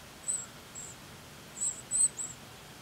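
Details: Nestling northern cardinals begging in the nest while their mother brings food. A quick series of thin, very high, drawn-out squeaks, some doubled, over faint background hiss.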